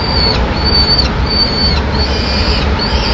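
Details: Peregrine falcon chick left alone on a nest ledge in Madrid, 25 May 2016, calling as the female arrives with a pigeon; long, thin, high whining notes drawn out and repeated, over a heavy steady roar of city noise.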